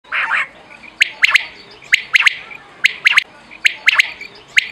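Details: Rain quail call used as a hunting lure, giving sharp, metallic whistled notes in quick triplets, each group about a second apart, after a brief burst of rough noise at the start.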